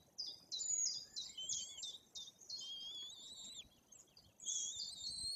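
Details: White-tailed eagle chicks, almost three weeks old, calling at the nest in Bory Tucholskie, Poland, while parents feed them; high thin whistled piping notes in quick overlapping series, some wavering and falling, with faint background hiss.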